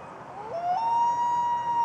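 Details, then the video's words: A male common loon, calling his mate to leave her nest of overdue eggs, gives one long, mournful note that slides upward and then holds steady and clear against quiet surroundings. "Loon Call"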